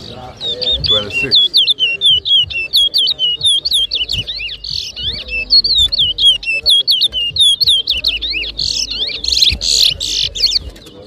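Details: Towa towa, the chestnut-bellied seed finch, competing in a 2023 whistling contest at Rosehall, Guyana: a long, fast run of sharp whistles and twittering slurs, with harsher buzzy bursts near the end and quiet background.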